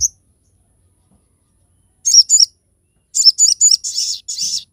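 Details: Crested jay, known locally as sogon, giving sharp 'tembakan' phrases for tutoring and luring: a double buzzy burst at two seconds, then a run of five or six high harsh chattering notes.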